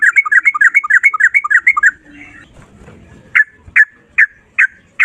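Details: Sooty-headed bulbul in energetic rapid 'ropel' song: about two seconds of fast repeated rolling notes, a quiet gap, then five loud single slurred notes spaced roughly every half second.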